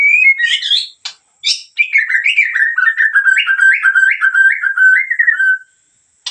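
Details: Energetic gacor song from a Medan white-rumped shama: quick high whistled flourishes open a long run of short whistled notes that bounce up and down, gently descending, before ending abruptly.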